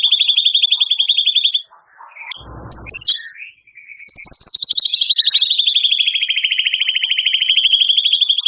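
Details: White-rumped shama in energetic 'tembakan' song with 'isian' mimicry fill-ins said to include canary, cililin and lovebird. A fast, buzzy, pulsed trill is followed by a brief break of scattered chirps, then another long, even, rattling trill.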